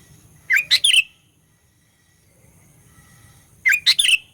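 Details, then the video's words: Sooty-headed bulbul giving a lure song to provoke rivals. Two lively three-part phrases about three seconds apart, each a quick run of bright, liquid, chirping notes with a slurred ending, over a low background rumble. "Burung Kutilang Pikat Gacor Fighter, Paling Jago Mendongkrak EMOSI Kutilang LAWAN"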